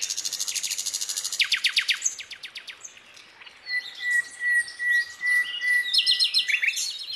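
Narcissus Flycatcher song: a fast run of high, repeated downslurred notes, then a long steady whistle under jumbled twittering phrases, with a faint insect buzz behind.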